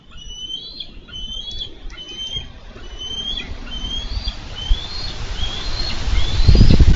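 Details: Wild bald eagles at a Minnesota nest, 4 July 2013, wrestling for a carp. A long run of high whistled chattering notes repeats several times a second, while low wind rumble builds to a loud burst at the end.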